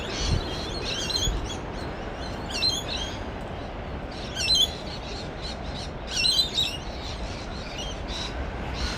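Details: Noisy rainbow lorikeets (Trichoglossus moluccanus) give harsh, screechy chattering bursts at uneven intervals over steady wind or surf, just after sunrise on a coastal path near a large sand dune, mid north coast of New South Wales.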